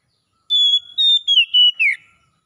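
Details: Oriental magpie-robin song in the wild-sounding ngalas style, played as therapy to bring back singing in a bird that has gone quiet: one clear whistled phrase of five notes, long level tones falling into a slurred downward ending.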